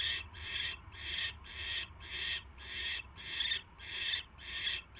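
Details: Barn owl nest at night, 22 January 2016, during the delivery of a mouse; loud, rhythmic rasping hisses, each a short harsh burst, repeated almost twice a second in an even series.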